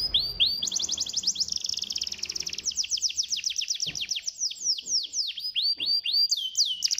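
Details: Canary lure song aimed at stirring lazy canaries into song: an unbroken rapid trill of high descending notes shifting into slower looping whistles, with faint low background noise early on.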